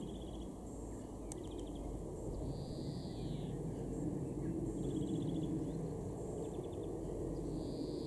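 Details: In a garden in Weener, East Frisia, northwest Germany, in June 2021, a European greenfinch sings short rattling trills and drawn-out, buzzy wheezes that rise then fall, over a steady low rumble of distant traffic.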